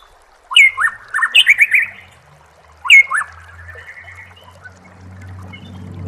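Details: White-rumped shama masteran recording: loud, abrupt stuttered whistles in a fast tumbling phrase, repeated once after a pause, then a quieter rattle over a low steady hum.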